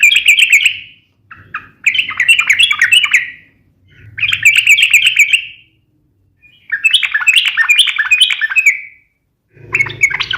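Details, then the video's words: Yellow-vented bulbul in rapid fighting song meant to set off other bulbuls: loud, chattering phrases of tumbling bright notes, delivered in bursts of one to two seconds separated by short gaps. "trucukan gacor SUARA TAJAM TARUNG ROPEL INI ampuh JADIKAN supaya burung trucuk gacor NYAUT SEKETIKA"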